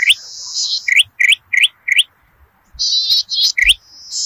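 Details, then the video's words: Zitting cisticola singing, a lure recording for Indonesian paddy fields: a buzzy trill opens, then four evenly spaced sharp upward chirps, a pause, and further rasping buzzes with a thin high whistle. "PANCINGAN BURUNG CITRUK/CICI PADI GACOR DI PERSAWAHAN"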